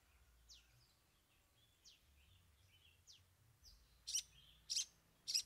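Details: Long-tailed shrike (cendet) singing 'bongkar 3 isian', a display of three learned fill-in songs: thin downslurred whistles at first, then three loud harsh chips at the end.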